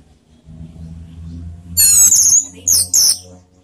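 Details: Orange-headed thrush, 'teler' style song meant to provoke emotion and breeding desire; after a quiet start, a loud, harsh, high rattling phrase is followed by two short shrill notes.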